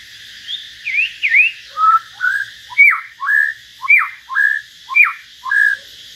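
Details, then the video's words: Common hill myna singing solo alongside a white-rumped shama: rising whistled V-shaped notes, then a steady series of sharp falling whistles each followed by a short slurred note, repeated about every second. "Chim nhồng và choè lửa hót solo"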